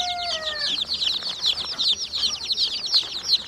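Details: Many chicken chicks peeping together: rapid, high, thin cheeps tumbling over one another, opening with a steady lower drawn-out tone that stops after about half a second.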